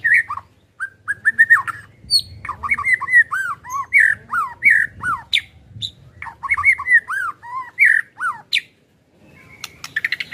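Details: Song of a white-rumped shama, recorded to make a caged bird sing: a long varied stream of whistled, slurred and chattering notes with few pauses, ending in a brief silence and high squeaks.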